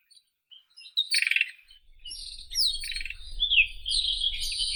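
White-throated robin singing a rapid, scratchy warble of high chattering notes and thin whistles, with a faint low rumble underneath.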